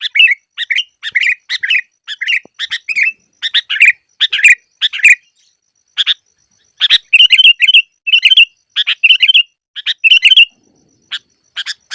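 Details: Sooty-headed bulbul song used as a lure for trapping: bursts of bubbly, slurred whistled phrases mixed with short chirps, repeated at irregular intervals with brief pauses between, clean with no other sounds.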